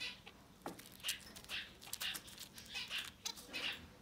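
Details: Society finch nestlings up to ten days old give thin, high, scratchy peeps in quick bursts, about two a second, over a faint hiss.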